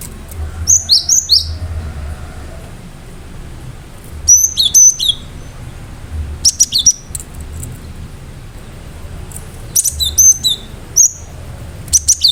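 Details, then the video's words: Cinereous tit (gelatik batu) in full vigorous song with sharp bursts: clusters of very high, piercing chirps and downslurred whistles come in phrases every two to three seconds, with short quiet gaps between. "Gelatik batu gacor"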